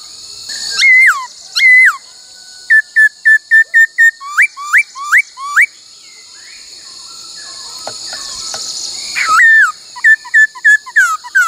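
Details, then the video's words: Laughingthrush in song training, singing the 'bắt cô trói cột' phrase among many voices: two looping whistles, then a quick string of short even whistled notes and rising upslurs, a quiet gap, and more bright slurred whistles over constant background hiss. "Luyện khướu hót bắt cô trói cột , luyện hót nhiều giọng cực hay"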